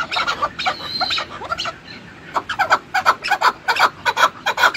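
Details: Chukar partridge clucking in quick, grating bursts, with a thin drawn-out whine early on, then an accelerating train of loud chuk notes toward the end.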